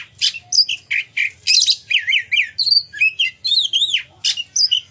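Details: Oriental magpie-robin singing loudly to trigger other magpie-robins to sing and spread their tails; a dense string of wavering whistles, zigzag trills and scratchy chirps repeated in short bursts.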